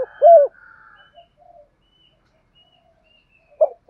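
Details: Spotted dove contest-stimulation cooing for training birds; a short deep hollow coo opens, then quiet with faint soft notes, and another pair of coos begins at the end.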